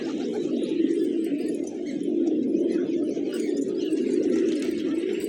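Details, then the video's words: Pigeons feasting on grains in a village at morning, an unbroken low murmur of cooing from many birds, faint higher sounds behind. "Cute Pigeons Eating, Playing & Making Funny Sounds"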